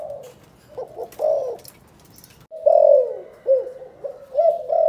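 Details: Spotted dove, Cần Thơ, Vietnam, performing the chụp chụp ô calling coo: a soft opening phrase, a pause, then louder mellow coos, one sliding downward, followed by short clipped notes.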